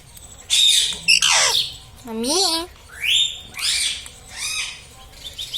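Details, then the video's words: Pet parrot that talks, said to say "mummy", "papa" and "radhe radhe": a handful of bright, harmonic squawky syllables, some rising and wavering, in short bursts separated by brief pauses, with a faint low hum beneath. "Talking mummy papa|| mummy vala parrot || mithu bolo radhe radhe"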